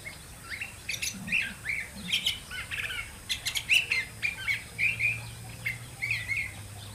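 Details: Curve-billed thrasher, known as pitacoche or huitlacoche, delivering a rambling song of short sharp notes and slurred warbles in quick uneven bursts, with a low steady hum in the background.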